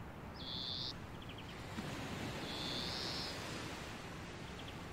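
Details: European greenfinch perched on hawthorn in a dune area: drawn-out, flat, buzzy wheezes and short rattling trills over constant surf and wind noise.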